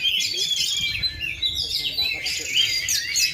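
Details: Oriental magpie-robin, a kept songbird still in full voice after 2.5 years without moulting, gives clear looping whistles and quick chirps in a lively stream, with low human voices audible beneath.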